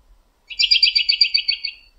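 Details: American robin perched in a backyard tree late in the evening, calling to other robins nearby; a fast run of about a dozen bright, chattering notes pulsing evenly for just over a second.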